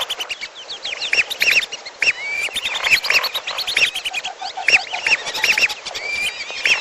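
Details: Trapping lure of lesser whistling ducks combined with a second bird known locally as piolo: crowded overlapping whistles, short rising and falling notes in quick bursts, many birds calling at once without pause.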